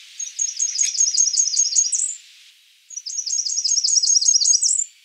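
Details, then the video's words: Two high, thin phrases from a Blackburnian warbler, each a fast series of sharp, sibilant notes that climbs a little and closes with a rising upslur, separated by a brief pause of about a second. "Blackburnian warbler calling"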